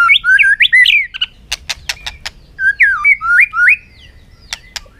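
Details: White-rumped shama singing in a contest bout on a sunny afternoon: loud, rich whistled phrases sweeping between low and high, delivered in two bursts separated by sharp clicking notes, with a quiet gap near the end.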